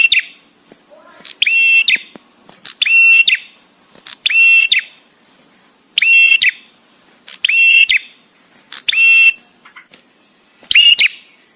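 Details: Bar-winged prinia, a male, in the 'tamu' or guest song with spaced pauses for training songbirds: loud, ringing, buzzy phrases repeated about every one to one and a half seconds, separated by quiet gaps, with no other sounds.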